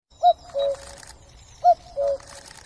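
A cuckoo gives its two-note 'cuc-koo' twice, a higher short note falling to a longer lower one, about a second and a half apart; otherwise quiet.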